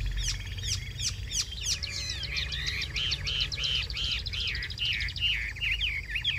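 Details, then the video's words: Cage-kept Chinese hwamei in full song: a few sharp opening notes, then a long run of varied looping whistles repeated in quick succession, rich and melodious throughout. "Cao cầu hót tốt - bóng bộ cực đẹp - Họat Họa Mi"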